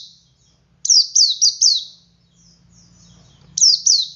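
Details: Ngalas singing by a male Oriental white-eye, meant to draw other white-eyes into song: a quick run of four high, sliding, downslurred whistles, a pause, then two more, over a faint low hum.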